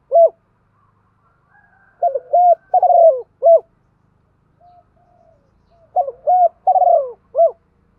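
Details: Decoy spotted doves, cock and hen, cooing in the morning to lure wild birds. Two soft, low, hollow cooing phrases of several short and drawn-out notes are separated by a quiet pause.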